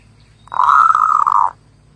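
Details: Zebra dove singing one smooth, slightly rolling cooing note lasting about a second, even in pitch throughout, over a calm, quiet background.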